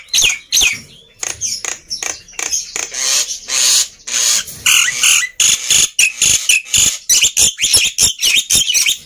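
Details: Loud, energetic black-winged myna singing meant to stimulate silent mynas: a dense stream of harsh squawks, grating buzzes and sharp whistled chirps, delivered in quick irregular bursts with hardly any gaps.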